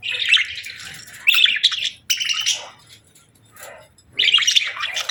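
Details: Budgies chirping on a peaceful morning in separate bursts of bright, squeaky chatter lasting about a second each, with short quiet gaps between them.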